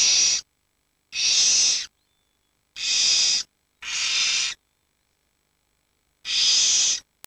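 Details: Barn owl chicks, the oldest 19 days and the youngest 7 days, huddled together for warmth while the parents are out hunting; long harsh rasping hisses of about half a second to one second each, five bursts separated by silent gaps.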